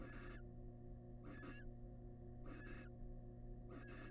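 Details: Male barn owl presenting a huge rat to his wild family in a nest box: four rough hissing bursts, each under half a second, separated by a low continuous electrical drone.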